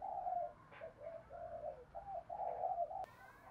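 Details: Decoy spotted dove from Đồng Nai, Vietnam, cooing to lure wild doves: soft, low, rolling coos in a run of several notes, fairly quiet, ending with a sharp click.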